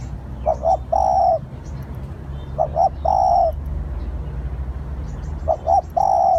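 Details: Spotted dove kept as a lure, repeating its three-part coo: two clipped hoots and a long smooth one, three phrases roughly every two and a half seconds, faint bird twitters high above.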